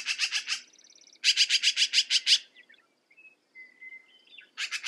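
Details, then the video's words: Repeated rasping chatter bursts from a black-billed magpie, fast strings of harsh notes, with a buzzy trill and a few whistled notes from other birds in the quieter gaps. "Black billed Magpie - Bird Sound"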